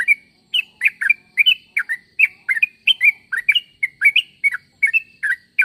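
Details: Sooty-headed bulbul calling so other bulbuls will answer, a steady series of short bubbly two-part chirps, rising and falling, given about three times a second without a break.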